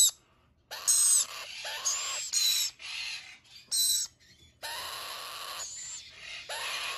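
Red-collared lorikeet giving harsh, grating screeches in bursts under a second long, repeated irregularly with short gaps. No other sounds stand out.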